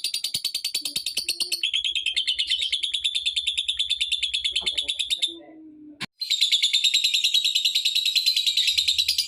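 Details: Lovebird chatter intended to set off other lovebirds: fast, high, buzzy pulsed calling that pauses briefly near the middle, then returns louder and shriller, with a low hum in the background.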